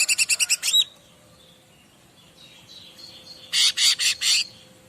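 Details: Bar-winged prinia master song, played to make other birds answer: a quick burst of about six sharp, high repeated notes, a short pause, then four broader, loud chirps.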